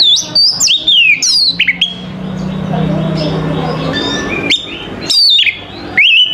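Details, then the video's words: In the morning an Oriental magpie-robin gives loud, sharply descending whistled notes and clicks in bursts at the start and near the end, separated by a quieter passage with a low hum. "TERAPI KACER PAGI HARI"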